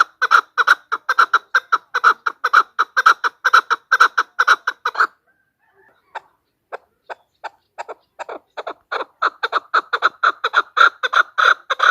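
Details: Female chukar calling for a hunting lure: a fast clucking series, a pause broken by sparse single notes, then the rhythmic chucks build up again to full strength.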